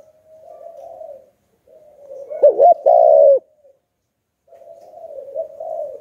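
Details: Spotted dove singing the 'Hạp Bổi' style of coo to lure wild doves: soft, drawn-out coos, then a sharp wavering double note and a loud sustained coo, followed by more soft trailing coos.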